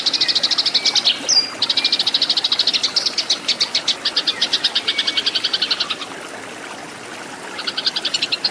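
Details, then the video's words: Loud fighting song from a Eurasian tree sparrow, recorded to train cage birds: fast high chatter with an interjected sharp chirp, a long sequence of chips, a pause of over a second, then chatter again. "MASTERAN BURUNG GEREJA TARUNG"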